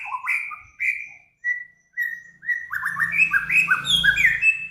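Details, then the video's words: Master song for training cage birds: separate whistled notes and slurs spaced about half a second apart, then a rapid, rich medley of twisting whistles over low rumbling noise. "Burung Samyong, Kancilan Flores, Garugiwa Gacor"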